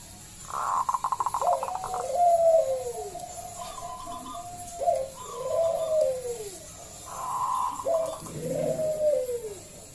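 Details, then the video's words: A local zebra dove with a big, loud voice, used as a lure to set other doves singing, repeats its phrase three times: a fast rattling burst followed by mellow, arching coos, with a low steady hum behind. "Pancingan Perkutut lokal SUARA BESAR"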